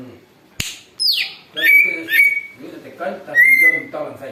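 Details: Noisy greater green leafbird lure song, the bird reportedly copying an eagle: a sharp click, then a shrill descending squeal followed by steady level whistles over low chatter.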